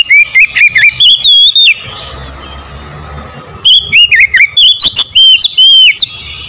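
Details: Oriental magpie-robin singing loud, fast strings of piercing whistles and slurred warbles, with a pause of about two seconds of low background hiss between the two phrases.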